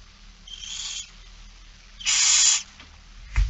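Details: Barn owl begging at a feeding, Friesland, Netherlands, September 2019: a fainter hiss followed by a louder, harsher half-second screech, then a short knock.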